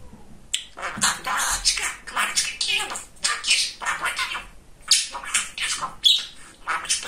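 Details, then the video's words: Pet male budgerigar known as a great chatterer, mimicking speech: rapid run of hoarse, word-like syllables in a steady babbling rhythm, with one thin whistled note near the end. "Говорящий Волнистый Попугайчик"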